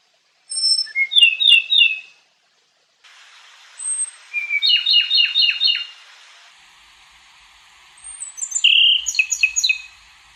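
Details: A small white-eye, kecial kuning, gives short bursts of high, tinkling chirped phrases separated by pauses, each burst of several quick descending notes, over light background hiss.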